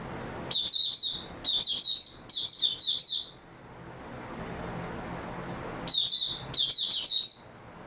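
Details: Oriental white-eye song from 3 March 2022, after a good night's sleep: quick bursts of thin, high, warbling chirps in four phrases, then a quiet gap of about two seconds before two more twittering bursts.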